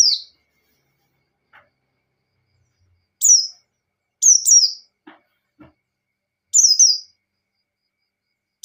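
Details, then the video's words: White-eye singing in the ngalas style, used as bait to provoke a rival into singing: short, very high, rapid descending chirpy bursts, single and doubled, spaced by a second or more of silence, with faint low clicks between. "Suara Burung Pleci Gacor | Pleci Ngalas Standar Memancing Lawan"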